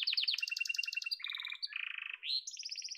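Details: A yellow domestic canary sings a chain of rapid trills, each held under a second, shifting from high to low and back up, with a rising slur before a final high rattle.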